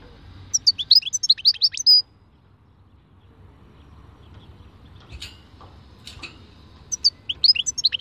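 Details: European goldfinch of the khalwi type singing: quick bursts of high, thin twittering notes slurring up and down, one phrase early then another near the end, separated by near silence with a few faint clicks.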